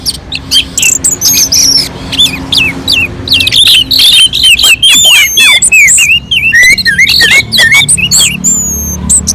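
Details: Orange-headed thrush, mountain slope, singing sweetly and without pause as a lure for other birds: crowded, varied phrases of clear whistles, buzzy chips and downward slurs, finishing with long thin high whistles.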